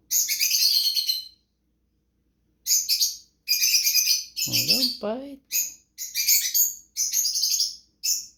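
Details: Pet cockatiel, one of two kept by its owner, being handled and told not to bite or fight, gives harsh, scratchy chirps in quick repeated bursts, with a brief human voice midway.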